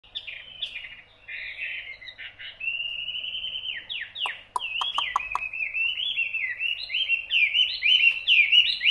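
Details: Hwamei singing: a long, rich flow of clear whistled phrases, warbling and slurring up and down, broken briefly by a few sharp clicks midway and building louder toward the end.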